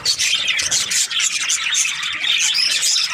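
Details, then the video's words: Budgies during breeding season, a short burst of lively chirping: quick twittering, squawks and several thin rising whistles from a group of birds. "Lovely budgies chirping sound parakeets breeding season"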